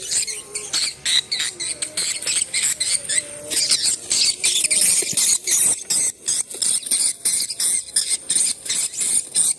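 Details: Swiftlet calls played from a portable speaker to check a swiftlet site: a dense, rapid stream of high, sharp chirps and twitters, many overlapping, about three bursts each second, with a faint hiss behind.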